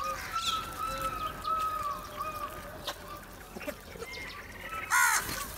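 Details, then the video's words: Background whistles and twitters from other birds lead up to a single rasping crow caw near the end, from crows flocking together for food. "Crow Unity For Food | Crow Sounds"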